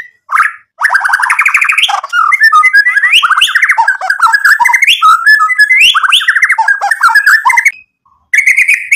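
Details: White-rumped shama singing energetically to make rival birds angry and answer back, its song packed with borrowed material: a long unbroken flow of loud, rapidly changing whistled and warbled notes with fast trills, broken by brief pauses.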